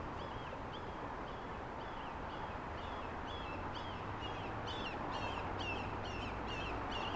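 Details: Red-shouldered Hawk calling from atop a palm stub in San Clemente Canyon, San Diego, California, 12 March 2025: a steady series of high, down-slurred kee-ah screams, about two a second, over a constant low rumble.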